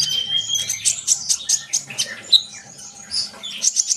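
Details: Sunbird twitters in quick high chirps and short whistles, with a sharp accented note near the middle and a final cluster of rapid tweets.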